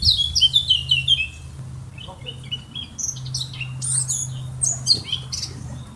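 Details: Eurasian blackcap singing: rapid, high, scratchy warbled phrases with quick chirps, louder in the first second, then softer twittering notes, over a low steady hum.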